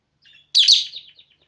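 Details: Pet female lovebird singing at home: a faint chirp, then a loud, harsh, buzzy squeal that breaks into thinner descending twitters, all within about a second.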